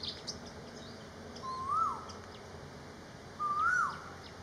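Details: Malaysian pied fantail singing: two clear whistled phrases, each a smooth rising then falling slur, about two seconds apart, over quiet steady background hiss.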